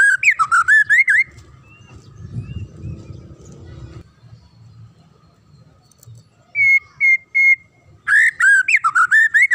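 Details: Magpie-robin song played to train young captive birds to sing readily: a rapid run of loud, looping whistled notes at the start, a quiet gap, then three steady flat whistles and another fast warbled burst at the end.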